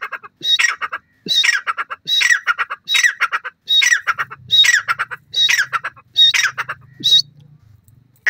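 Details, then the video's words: Grey francolin, called teetar and said to be Iranian, giving loud harsh squawking phrases, each a rapid stuttering run of notes repeated roughly every 0.7 seconds in a steady series, with a faint low hum behind. "pheasant best teetar sound, irani teetar awaaz"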